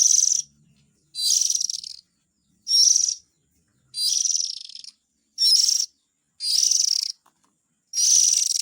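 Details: Oriental magpie-robin chick sounds for luring parent birds: rasping, hissy calls in seven bursts, about forty a minute, each under a second and irregularly spaced, with clean silence between them.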